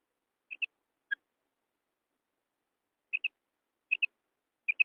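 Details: Female quail giving high, short double notes in pairs, with one single note between them, repeated roughly every second after a pause; no other sounds.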